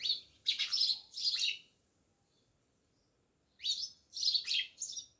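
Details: Near a village house in Jamnagar, house sparrows chirp in two bright, rasping bursts of three or four notes each, divided by over a second of near silence.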